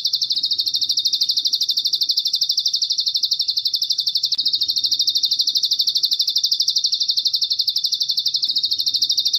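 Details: Masteran track of a bar-winged prinia with cililin fill, made for tutoring caged songbirds; a continuous shrill pulsing buzz, evenly repeated at roughly three beats per second, clean and unbroken throughout.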